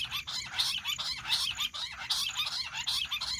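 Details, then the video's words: Jungle bush quail calling, a sound used for hunting: rapid, harsh, high chattering bursts repeated more than once per second, overlapping as if from several birds, throughout. "Amazing Quail sound || Battair shikar awaaz || Bush quail voice| baredd Junglee gundri awaaj"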